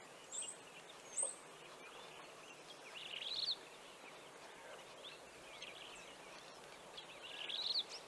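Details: Levaillant's cisticola at Sedgefield, Garden Route, Western Cape: thin, very high notes, then a short buzzy, rising phrase that repeats about every four seconds, over a steady hiss of wind.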